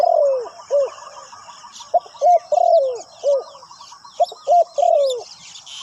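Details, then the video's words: Spotted dove cooing as a decoy on the ground to draw in wild birds: mellow, throaty phrases of quick hoots and longer descending crooning notes. A busy chatter of small birds and a steady high hum fill the background. "chim cu mồi gáy gọi bổi"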